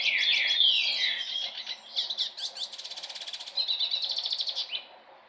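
A hooded siskin sings a long, rambling twitter of high, quick notes, slurred chirps and buzzy trills, running without pause for several seconds.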